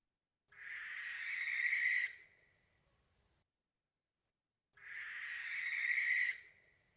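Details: A hunting Barn Owl gives two long, harsh, hissing piercing shrieks, each about one and a half seconds, rising slightly in intensity, separated by a few seconds of silence; countryside birds in winter.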